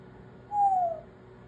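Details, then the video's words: Pet African grey parrot indoors giving a single clear whistle that slides gently downward for about half a second, over faint room hum. "African Grey Parrot Whistling, Talking, making sounds"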